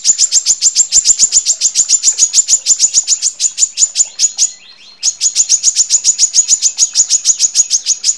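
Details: Female brown-throated sunbird (Anthreptes malacensis) calling males: sharp, very high chips, three or four a second, in long runs with one brief pause; used to lure males and as a tutor recording.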